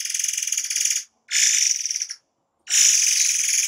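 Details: Forktail giving dense rapid-fire song bursts used as master training audio for cage birds; three buzzy, rattling trills with fine fast pulses, separated by short silences.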